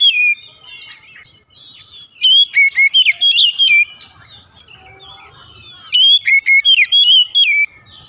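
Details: Oriental magpie-robin in the morning, delivering two bursts of loud, rich whistled notes, each about a second and a half long, separated by several seconds of near silence.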